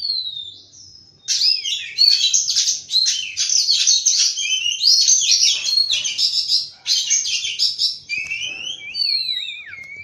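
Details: Oriental magpie-robin in morning song: a short whistle, a pause, then a long burst of rapid high chirps, ending in clear slurred whistles and a quavering warble.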